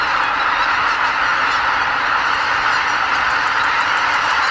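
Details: Greater white-fronted geese, some 80,000 birds on spring migration, departing the roost before sunrise at Lake Miyajimanuma, Bibai, Hokkaido, to feed in nearby farmland; an unbroken wall of overlapping high honks and yelping cackles.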